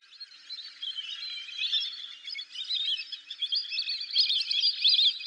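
Lesser whistling ducks give a dense, unbroken chatter of thin, high whistles, several birds overlapping and rising in loudness toward the end.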